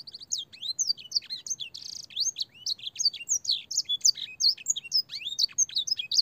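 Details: Canary master song, used to train young canaries, filled with blackthroat and singer phrases in a clear voice: dense, unbroken run of high whistled slurs and sweeping notes, some rising, some falling, with brief buzzy bursts, in a quiet setting.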